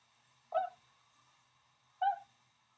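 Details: Tundra swan near Drumheller, Alberta, Canada, giving two clear single honks about one and a half seconds apart, each brief, nasal and slightly falling, over a quiet low hum.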